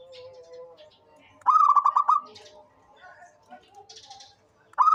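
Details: A local, persistently vocal zebra dove delivers one quick stuttered coo of several rolling notes, then begins another at the end; scattered high chirps from other birds fill the gap.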